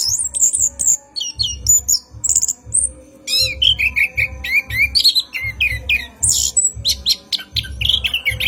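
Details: Orange-headed thrush singing a long rolling song at night, a lure for training caged birds: quick high twitters and whistles, then a run of downslurred warbling notes and rapid chips, low thuds recurring.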